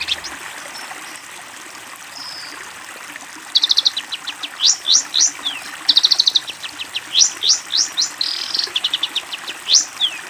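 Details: Long-tailed shrike song used to tutor young birds: quiet opening, then rattling buzzy bursts alternating with quick sweeping whistles and fast chip series, varied and mimic-like.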